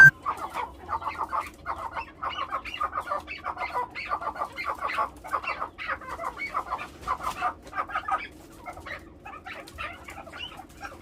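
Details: A farm-raised Chukar partridge (Alectoris chukar) gives a steady run of harsh, clucking chuck notes, about two each second, over a low constant hum.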